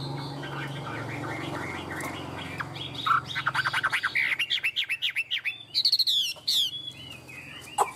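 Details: Tame caged Chinese hwamei singing: a quiet, low background hum at first, then loud, rapid series of ringing whistled notes repeated many times in quick succession, ending with high sweeping whistles.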